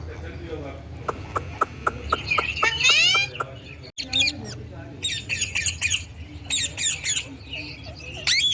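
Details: Indian ringneck parakeet kept as a pet in Pakistan or India, talking and making sounds: a fast run of clicking pulses rising into harsh, strained squawks, then bursts of shrill chattering screeches, with a faint hum behind.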